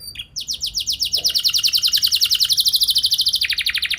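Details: Canary song used as a lure so caged canaries reply with long rolls: a steady, fast trill of bright descending notes, about seven per second, over a dense, slightly noisy background.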